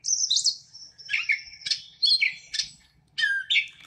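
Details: Gray Catbird, recorded in southern Wisconsin, singing a mimicking song with a blue jay imitation in it: a run of varied squeaky, slurred and whistled phrases, some sliding downward, others buzzy, in quick short bursts.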